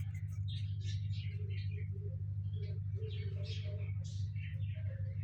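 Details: Four young cockatiel chicks, hatched from six eggs in a nest box and fed by both parents, give raspy, hissing begging calls in quick bursts over a steady low hum, recorded around 28 August 2025; cockatiel.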